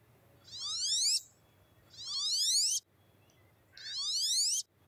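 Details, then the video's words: A male wood duck gives three thin, rising, finch-like jeeb calls, each about half a second long and spaced roughly every one and a half seconds, over a quiet background. "Males give a finch-like jeeb with rising inflection."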